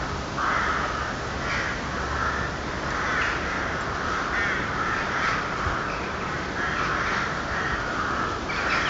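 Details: Night-time cawing of crows, called eerie: rough, nasal caws repeated about every second in an even series, with a constant hiss of background noise.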